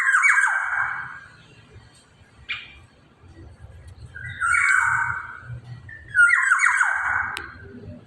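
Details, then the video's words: Black-naped oriole in full voice; three harsh, nasal, mewing calls that sweep downward, each about a second long, separated by quiet pauses with low background rumble. "Kepodang emas gacor"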